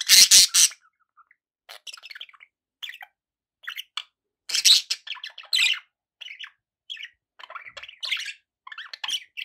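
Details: Caged pet budgerigars: two loud harsh bursts open, followed by bouts of squeaky, warbling chirps separated by short silences, with another loud burst midway.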